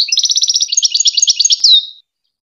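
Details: Goldfinch singing for hybrid chick training: a dense two-second twitter of high, bright notes repeated at a fast steady pace, finishing with a longer downslurred whistle.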